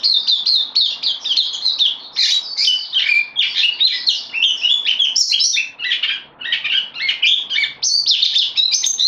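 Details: Loaned bulbul, new to its keeper and caged, recorded 12 September 2020, delivers a dense stream of varied chirping phrases that rise and fall, with a short lull near the middle.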